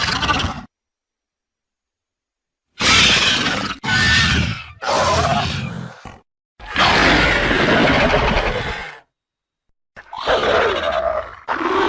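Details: An angry condor gives harsh, breathy hisses and grunts in bursts of one to two seconds, separated by abrupt silences.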